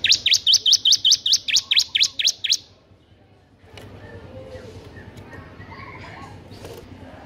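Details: Bar-winged prinia in lively ngebren style, used as a tutor recording for prinias that rarely sing: about eleven sharp rising notes in quick, even succession over two and a half seconds, then quiet background hiss.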